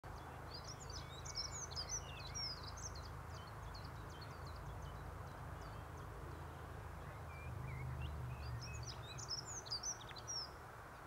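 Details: A singing dunnock in Prague 4, Czechia, gives a fast, high, jangling warble in two bursts, one at the start and one near the end, over a steady low rumble; handheld recording.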